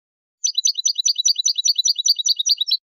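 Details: European goldfinch basic song, tableteo style, one continuous stretch of fast, crisp, high-pitched rattling notes lasting over two seconds against silence.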